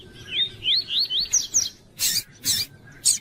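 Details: Caged double-collared seedeater, tui tui song type, with a female present for training and warming up birds: roughly six rising whistled notes in fast succession, followed by three loud raspy bursts.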